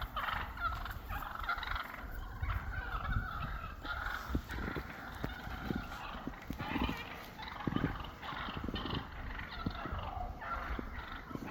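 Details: Flock of wild turkeys regrouping after a snowstorm and sorting out their pecking order; a continuous jumble of gobbles and clucks from many birds, set against steady low rumbling wind noise.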